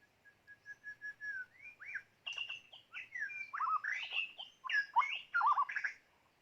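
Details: A white-rumped shama used as a decoy for bird catching opens with a series of soft, even whistles, then breaks into a rich, fast medley of loud fluty slurs, trills and chattered notes lasting several seconds.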